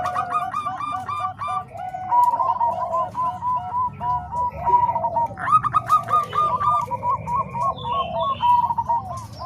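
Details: Bangkok and Cemani Kolbuntet zebra doves mixed together as training voices for other doves. Staccato, bubbling coos roll in quick repeated phrases, layered with more voices joining partway through over a steady low hum.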